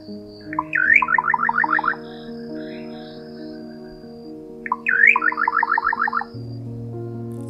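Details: A Little nightjar (Setopagis parvula) of the Atlantic Forest gives two phrases, a sharp rising note then a quick run of about eight bouncy, slightly falling notes, over soft sustained music.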